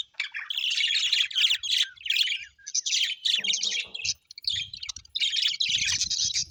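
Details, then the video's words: Pet Australian budgies in a happy mood keep up lively overlapping chirps and chattering warbles, with a few harsher squawk-like notes and soft low knocks in the background. "Happy budgies chirping sound l parakeet's sounds"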